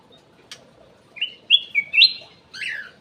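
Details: Ruby-throated bulbul (cucak emas) kept in an aviary, lure song: a sharp click, then a short phrase of loud whistled notes rising in steps and ending in a downward slur, against a quiet background.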